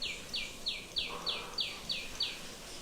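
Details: A tiny sunbird in Vrindavan, India, 15 April 2020, gives a fast series of about eight thin, high, downslurred notes, roughly three per second, over a faint background hum.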